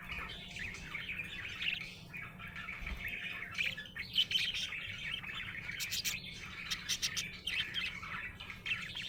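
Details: Budgie chirping happily, a continuous warbling chatter of squeaks and buzzy notes, with brief clicky bursts in the second half and a low hum beneath.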